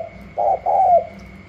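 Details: Wild-caught spotted dove from Cà Mau, new to its keeper, competing with another dove in gù la cooing: one loud phrase of a short coo and a longer, gently falling coo.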